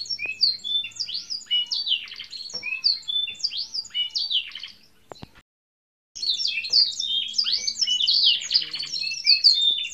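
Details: Canary kept as a pet, in strong singing form, with a long continuous song: dense tumbling run of varied high chirps and twittering notes, a short silent break, then the rapid jumbled warble resumes.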